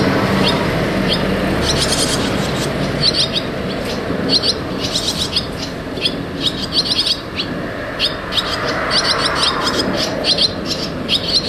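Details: Barn swallow chicks going in and out of the nest: short, high chirps repeated in quick, uneven bursts throughout, over a loud, steady rumble of road traffic.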